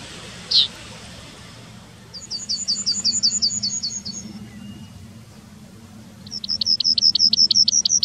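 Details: A town Yellowhammer in Wittlich, 2019, sings two rapid trains of short, high, rhythmic chips several seconds apart. A single sharp call comes before them, with quiet low background noise.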